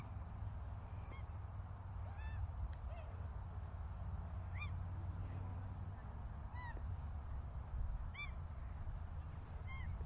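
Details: A couple of Australian Wood Ducks on Heirrison Island, Perth, Western Australia, on an autumn afternoon give short, nasal, slightly rising mewing calls about every two seconds over a steady low rumble of wind or traffic.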